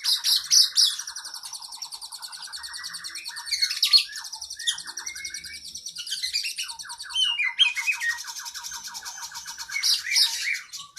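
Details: Oriental magpie-robin (kacer) training song for cage birds, a long lively full song with varied filler phrases: rapid repeated chirps and trills, buzzy high notes and descending whistled runs that switch pattern every second or two, with no other sounds.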